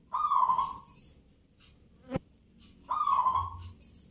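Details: Local zebra dove (perkutut) at a Yogyakarta cooing contest in the Nglagu Ngepat Mentaraman rhythm style: two low, mellow, rolling coo phrases about three seconds apart, with a sharp knock between them.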